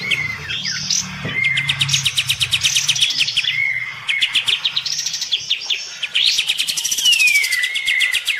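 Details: A sooty-headed bulbul (kapas tembak), while bathing, pours out fast, buzzy trills and scratchy chatter broken by clear sliding whistles every few seconds, heatedly sparring with a neighbour's bulbul.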